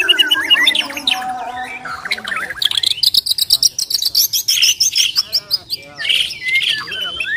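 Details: White-rumped shama from Borneo singing a combative challenge: varied whistles opening into a fast metallic rattle of evenly spaced high notes, then loud looping whistled phrases repeated about twice a second.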